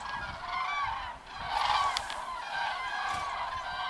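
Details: Flock of common cranes heading to the roost, loud trumpeting calls overlapping continuously, one strong rolling call in the middle, light rumble in the background.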